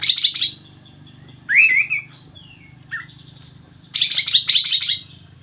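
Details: Sooty-headed bulbul in energetic 'gacor' song: a burst of rapid chirps, then a short slurred whistle, a brief note, and another fast chattering burst, over a faint low hum.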